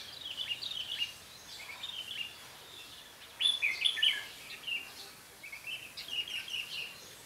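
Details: A red-whiskered bulbul acting as a trapping decoy sings fairly faint, warbled whistle phrases with one louder, clearer burst midway, over a soft hiss of background noise.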